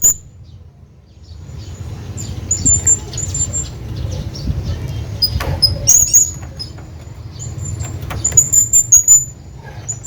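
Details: A hanging parrot calls out to a companion with sharp, high-pitched squeaks and brief twittering runs, louder clusters near the middle and end, against constant low background rumble.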